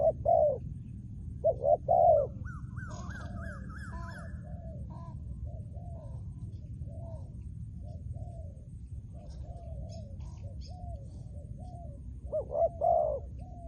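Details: Trained decoy spotted dove giving loud paired coos at the start and end, with a long quieter middle of faint cooing and a brief series of higher rising chirps from another bird.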